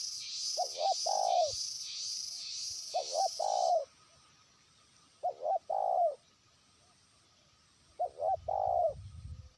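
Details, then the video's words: Trained spotted dove used as a lure, calling a faraway rival. Four low coo phrases come about every two and a half seconds, each two quick notes and a longer one. A pulsing insect chorus stops midway. "pikat terkukur) burung ajaran sudah mulai manggil lawan jauh"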